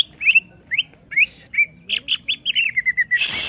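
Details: Greater green leafbird, stirred up by playback to pour out its full song: clear rising whistled slurs, then a quickening run of short chirping notes that steps downward, ending in a burst of harsh noise.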